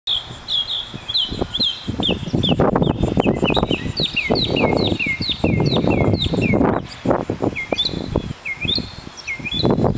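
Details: A Northern mockingbird sings at Kitty Hawk, North Carolina, during an aerial song-and-dance display. It gives high, sweet chirped phrases, repeating each several times before switching to a new one, over heavy gusting wind.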